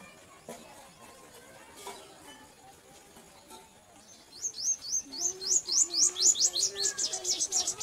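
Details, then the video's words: Purple sunbirds feeding their young: after a quiet start, a fast series of thin, high, sharply rising chips runs about four per second, with a faint lower hum beneath. "Sun birds feeding their children अपने बच्चों को भोजन खिलाती सूर्य पक्षी"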